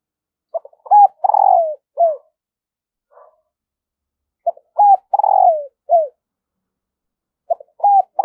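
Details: Decoy spotted dove giving its morning lure call to wild doves. Three evenly spaced phrases, each made of clipped lead notes, a hooting rise, a long falling coo and a short end coo, with silence between.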